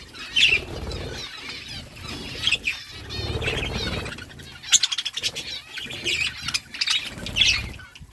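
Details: Budgies eating seeds give scattered bright warbled chirps and twitters, mixed with dry crackling and ticking noises and a soft low rumble.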